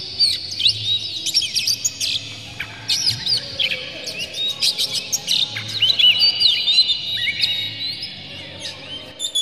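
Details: Oriental magpie-robin, agitated with tail spread, pouring out a full song packed with varied phrases, used as a lure to set other magpie-robins singing; high whistles, sweeping slurs and sharp chips tumble rapidly over a faint low hum.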